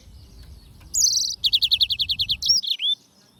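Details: Loud Yellow-fronted canary phrase: a buzzy high note, then a steady trill of about a dozen evenly spaced chirps, ending in two sliding whistles.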